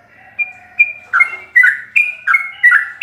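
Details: Yellow-vented bulbul singing fast ropelan song full of varied notes for training captive birds: a soft whistle opens, then loud bubbly chirps follow quickly, each falling in pitch.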